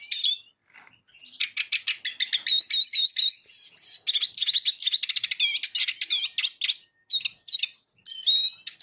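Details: Eurasian siskin pours out a lively twitter of rapid chirps, warbled slurs and trills, breaking at the end into separate short whistled phrases.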